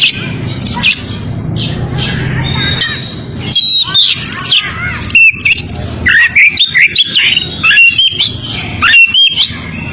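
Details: Oriental magpie-robin in breeding condition, calling to a rival: bursts of rich whistles, chirps and quick slurred notes, busier in the second half, over steady low hum.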